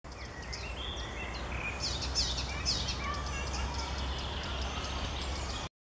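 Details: Icterine Warbler singing on 6 July 2014 in Park Centralny, a fast, varied run of chattering, squeaky and nasal notes, some high and sharp, over a steady low rumble of city traffic.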